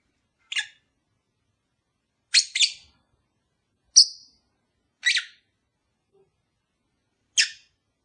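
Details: Caged lovebird calling to stimulate a mating-shy pair: quiet, sharp chirps at irregular intervals of one to two seconds, some doubled, one higher and purer in tone.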